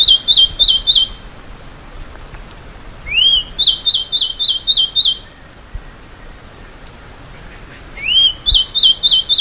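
Masked gnatcatcher singing thin, high phrases: an upslurred whistle followed by six or seven quick, sharp repeated notes, given in bursts a few seconds apart.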